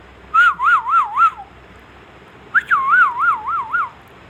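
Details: Indian ringneck parrot whistling two loud phrases separated by a short pause, each a smooth tone that wobbles up and down four or five times in rapid, regular waves, like a warbling siren.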